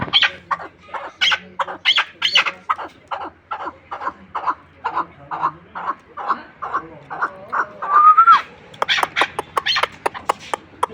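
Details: Chukar partridge kept as a hunting bird, giving a long run of harsh, clucking chuk notes, several per second, rising into louder, higher, more rapid bursts toward the end.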